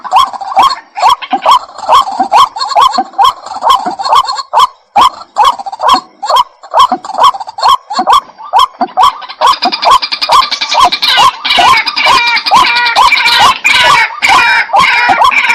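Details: Repeated calling of a white-breasted waterhen: punchy hooked notes roughly twice each second in an even rhythm, joined after about nine seconds by a denser, harsher, higher chattering that continues to the end.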